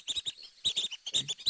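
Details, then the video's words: A flock of dowitchers peeping in flight: quick, high, thin peeps in rapid runs of two or three notes, several birds calling together. "So this these are basically dowitchers peeping in flight."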